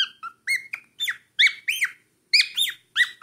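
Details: A cockatiel aged four months sings loud, arched whistles that rise and drop, delivered in quick bursts of two or three with brief gaps, rich in harmonics.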